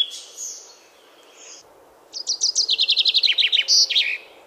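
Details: A European robin sings in a Polish forest in spring, its courtship song often heard even after dusk: soft wispy opening notes, then a thin, high, pearly phrase of rapid tumbling notes sliding downward into a bright trill.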